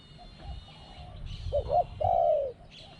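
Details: Spotted dove used as a decoy to lure wild doves, described as having a small voice with two 'kuk' notes and a steady 'ku-ang'. A short double coo is followed by a longer, loud, level low coo over faint background hum.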